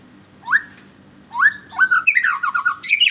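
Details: White-rumped shama song used as a lure to stir captive birds: two clear rising whistled notes, a pause, then a fast run of slurred whistles and sharp high chirps ending in a bright trill, over a faint low hum.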